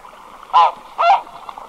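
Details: A single red-breasted goose calling close to the microphone gives two loud, squeaky, nasal honks in quick succession, about half a second apart.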